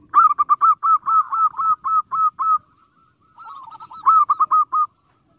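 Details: Loud, close zebra dove song meant to provoke rivals: a run of about a dozen punchy, rounded cooing notes, a short pause with a softer murmur, then a further strong burst of repeated notes.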